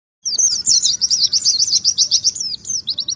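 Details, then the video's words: Oriental white-eye (pleci) singing in the rapid 'nembak ngalas' style: a dense, high-pitched stream of sweet twittering notes and quick slurred chirps, tumbling on without a break for about three seconds, ending in a few short separate tweets. "PLECI NEMBAK NGALAS"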